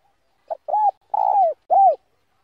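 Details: Spotted dove cooing in the 'đồng' voice style, slow and meant to provoke rivals. A four-part phrase: a faint pip, an arched hoo, a long rolling coo sliding down, then a clear falling final note.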